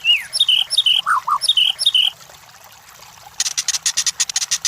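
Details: White-rumped shama song played as a training lure for competition birds: quick paired whistles sliding down, two low rising notes, a short pause, then a rapid harsh buzzy chatter pulsing many times per second.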